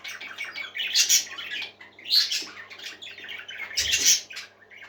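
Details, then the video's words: A flock of happy parakeets kept as pets chatters in dense rising bursts of squawks and tweets, loudest around the first and fourth seconds, a low hum underneath. "Happy Parakeets Singing"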